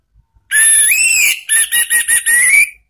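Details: Orange-headed thrush song in the ngeplong and ngeriwik styles, used as a lure for cage birds. A long, loud whistle slides upward, followed by five quick, clipped whistled notes and a final drawn-out rising note.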